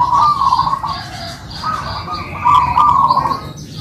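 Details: Short stretch of a kept local zebra dove duet in manggung song, two drawn, trilled coo phrases over a steady chorus of higher bird notes.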